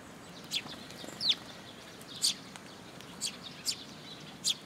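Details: Eurasian tree sparrows arriving at a post feeding spot at a Tenmangu shrine, 26 June 2022; crisp high chirps roughly once a second, one with a short downward slur, over soft background noise.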